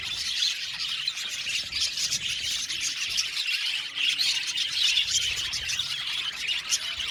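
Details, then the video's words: Budgerigar flock in an aviary giving a constant chorus of chirps, twitters and occasional squawky notes, all high and overlapping. "Beautiful budgies sound | Amazing Budgies sound | budgies chirping sound"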